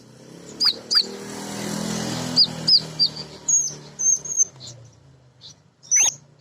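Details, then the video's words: Female sunbird (kolibri ninja) heard as lure song to prompt other birds to sing: scattered high, thin whistled notes, some paired, with short sweeping tones and pauses between, over a soft background hiss. "Kolibri Ninja BETINA Ngriwik Nyrecet Nembak Pancingan Paling Jitu Burung Bahan"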